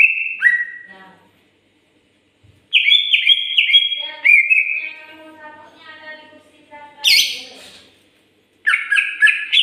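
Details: Greater green leafbird, or cucak ijo, singing in Indonesia: loud whistled phrases stepping between two pitches, a quiet stretch of softer warbled notes, then a sharp high burst and renewed whistling.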